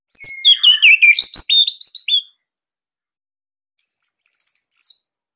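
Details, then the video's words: Orange-headed thrush, Bali type, singing its dense, loud master song: a fast, tumbling run of descending whistled notes for two seconds, silence, then a short, high, rapid phrase of chirps. "Kicauan ANIS MERAH Ini Cocok Buat Masteran Burung Sahabat Dirumah."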